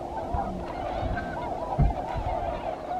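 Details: A flock of tundra swans, among thousands stopping at Aylmer to rest and refuel on spring migration from the southeastern United States to Arctic breeding grounds, keeps up a steady chorus of overlapping mellow, wavering hoots and whoops over low wind rumble.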